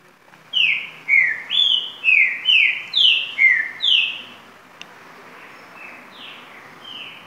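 A green-winged saltator gives a fast run of about eight loud, rich whistled notes, each slurring up or down, then softer echoing phrases over a steady hiss.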